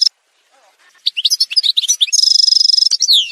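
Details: Algerian goldfinch song from a montage: scattered high chirps build into a busy twitter, then a sustained rapid trill of evenly repeated notes and a final descending slur.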